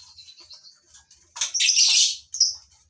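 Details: Colony-bred captive lovebirds: soft high chirping at first, then one loud, harsh screeching burst of about a second, followed by a brief sharp squeak.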